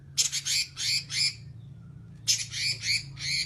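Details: Robin (red-billed leiothrix) singing actively in the long rattling 'nyerecet' style: two runs of harsh, buzzy, high chattering bursts, each run of four notes, separated by a short pause, over a low steady hum.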